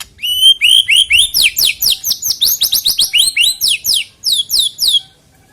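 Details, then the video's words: White-rumped shama song used as a lure to get shamas singing ahead of a songbird contest: loud, steady run of about twenty rising whistled notes, bright and evenly spaced, ending in a few sweeping upslurred whistles. "EFEKTIP AGAR CEPAT BUNYI BUAT PANCINGAN MURAI BATU JELANG LOMBA KICAU"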